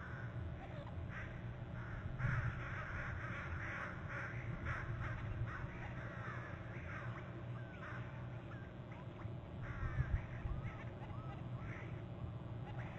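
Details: Pair of adult bald eagles trilling at their Hornby Island nest in November, caught by a nest camera: long bursts of rapid, high chattering notes with quick downward slurs, running almost continuously over a low, rumbling wind background.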